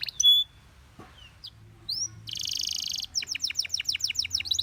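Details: Gloster canary singing to draw other canaries into song: a few scattered sharp chirps and short whistles separated by pauses, then a dense buzzy burst followed by quick repeated sweeping notes.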